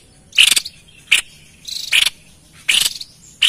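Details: White-chested babbler, described as a lively caller for luring wild birds: harsh, buzzy chattering bursts, each opening with a brighter note, five bursts spaced irregularly over three and a half seconds against a quiet background.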